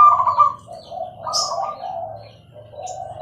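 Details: Zebra dove (perkutut, Bangkok type) singing actively with a clear voice: a quick run of soft rolling coos, a higher note opening the phrase, then lower trilled notes that rise and fall, with a low hum underneath.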